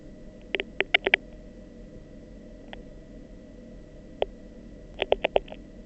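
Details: Beak clapping, the first sound a chick embryo ever makes inside the egg, made by rapidly opening and closing the beak: sharp dry clicks in quick bursts of four or five, single clicks between, over a faint steady hum.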